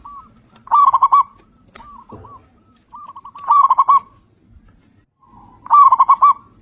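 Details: Local zebra dove, loud and active, used to prompt other zebra doves to sing. Three punchy runs of quick coos, each with a soft lead-in note, separated by gentler coos and a short thud.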